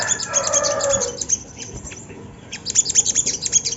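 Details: Lure song of a Sunda laughingthrush, played to make other birds call: quick, high, sharp chirps. A lower smeared tone sounds during the first second, then a pause, then a brisk burst of clipped twitters.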